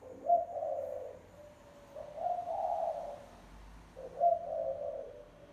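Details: Spotted dove lure call: three low, hoarse cooing phrases, each opening with a short accented note and followed by a drawn-out husky coo, spaced about two seconds apart over a quiet background.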